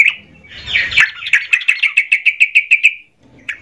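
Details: Yellow-vented bulbul in emotional, agitated song to stir up other bulbuls: a scratchy burst, then a fast, even series of about twelve sharp notes and one final note after a pause.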